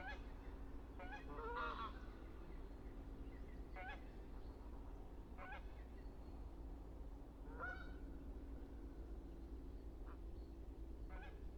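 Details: Canada goose recorded in the wild, giving a series of harsh, nasal honks, some in quick pairs, spaced irregularly over about eleven seconds against a steady low rumble of background noise.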